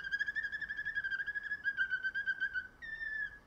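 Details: Canary of a song breed bred for sweet singing ability, holding a long, steady, low whistled tone with slight wavering, briefly breaking, then a short higher note to finish; no other sounds.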